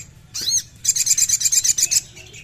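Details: Crimson sunbird (sogon) song meant to set a captive bird singing: a short high sweeping note, then a fast, evenly pulsed high trill lasting about a second.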